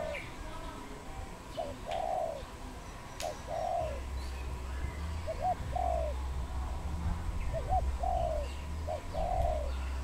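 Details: Wild dove in Cambodia, 23 April 2020: soft mid-pitched coos in short phrases, a quick note followed by a longer rolling coo, repeated about every two seconds over a steady low rumbling hum.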